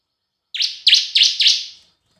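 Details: Bar-winged prinia singing a lure phrase in semi and kristal style, four ringing high chirps that dip and rise, close together in a short burst, clean and quiet behind.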